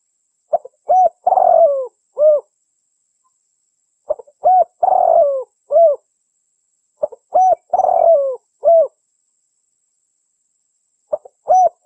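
A dove repeats a soft, hollow cooing phrase about every three and a half seconds, each a few low hoots around a rougher, throaty middle note; nothing else is heard.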